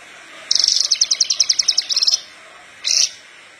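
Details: Horsfield's bush lark in lively song used to train young larks, a fast high trill of sharp repeated notes lasting over a second, then a brief pause and one short buzzy note.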